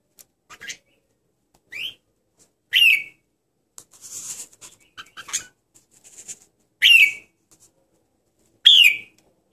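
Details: Red-whiskered bulbul singing short, bright whistled phrases, each a quick rising-then-falling slurred note, with bursts spaced a second or two apart and soft scratchy chatter between them.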